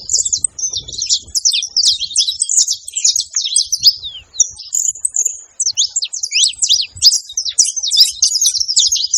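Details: Free-living saffron finches in nature sing a dense, continuous run of quick high chirps and sharp slurred notes. Phrases overlap almost without pause, with a brief break near the middle and faint low rumbles beneath.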